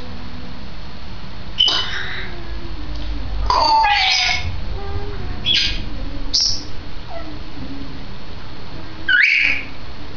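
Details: Two-year-old pet grey parrot, female, recorded 16 May 2010, producing a scattered series of brief harsh squawks and clipped chirps at irregular intervals, with a faint low tone drifting beneath.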